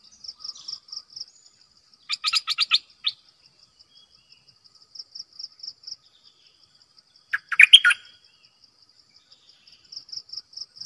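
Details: Decoy bulbul with two bursts of song: first a buzzy, rapid series of notes, then a bubbly chattering phrase several seconds later, over a prominent high pulsing insect trill heard throughout.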